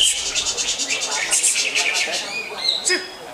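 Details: Greater green leafbird in captivity delivering a showy song: a quick run of pulsed buzzy notes, then thin whistled tones and a sharp downward slur near the end.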